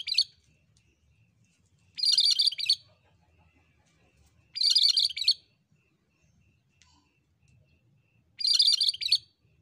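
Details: Cream-striped bulbul (cucak kerinci) in full song, a long tutoring recording: bright, dense, high-pitched chattering phrases under a second long, repeated roughly every two to three seconds with quiet gaps and faint low background rumble.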